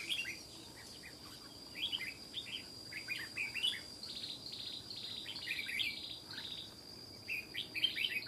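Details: Wild old red-whiskered bulbul with a loud, sharp voice, fiercely scolding and challenging a decoy bird: short bright warbled phrases, each a quick rising-falling cluster of notes, repeated in bursts against a steady high insect drone.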